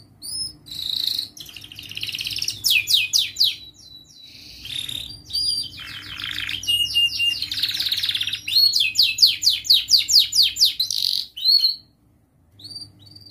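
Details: Young canary in continuous varied song, meant to teach juvenile canaries; trills of rapid descending sweeps alternate with buzzy rattles, steady high whistles and short slurred phrases over about thirteen seconds.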